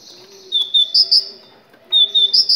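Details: Short burst of Moroccan great tit song, played to encourage other tits to sing: two quick runs of sharp, high paired notes with a brief gap between them, and a low hum beneath.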